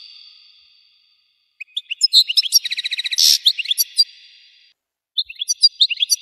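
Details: European goldfinch song, a fast twittering phrase that builds into a rapid, even buzzy trill and a harsh burst, then slurred chirps, an echoing fade, and a fresh twittering phrase at the end.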